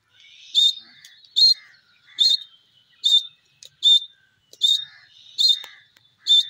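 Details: Grey francolin (teetar) calling: a regular series of harsh, ringing high notes, about 75 a minute, each a short burst with a fainter lower note between, over an otherwise quiet background.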